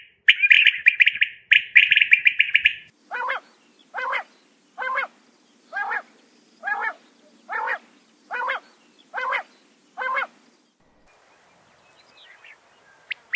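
A female common quail gives two harsh, buzzy rattles, then a steady series of nine short, soft notes about one per second.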